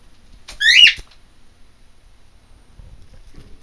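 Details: A pet macaw lets out a single short, raspy, overtone-laden scream, loud and grating, then quiet with faint low thumps.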